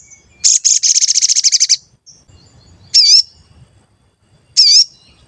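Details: Actively singing sooty-headed bulbul used as a lure to stir other birds into singing: a fast run of about twelve bright, high chirps, then two loud wavering, warbled notes spaced well apart in a quiet setting.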